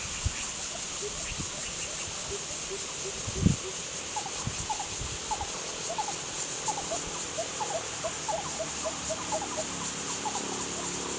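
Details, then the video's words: Lesser coucal calling from marshy grassland habitat: long runs of short hollow hooting notes, repeated quickly and overlapping, over a steady high insect drone and a few low knocks. "The Lesser coucal calls, 番鵑叫聲"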